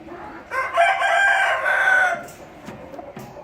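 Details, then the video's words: A single loud rooster crow, rough and drawn out for about one and a half seconds with a falling tail, followed by soft clucking and faint background sounds. "Good Chicken Rooster"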